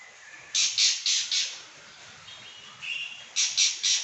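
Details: Pekin robin in full voice, giving four quick ringing chirps, a softer warbled passage, then three more shrill notes at a fast pace of about four per second.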